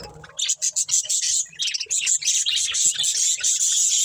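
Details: Breeding pair of budgerigars chirping, a dense run of high, bright chirps and warbled notes in quick succession with short pulsed bursts early on.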